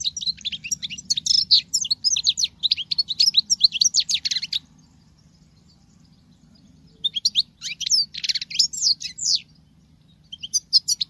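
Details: Female European goldfinch singing in the manner of a male: long bursts of fast, liquid twittering and buzzy high notes, broken by a pause of about two seconds, over a steady low background hum.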